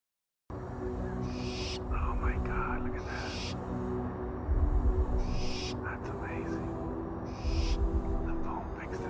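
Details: An owl screeches on a midnight hike: harsh, hissing screeches, each about a second long, four times over a steady low droning music bed.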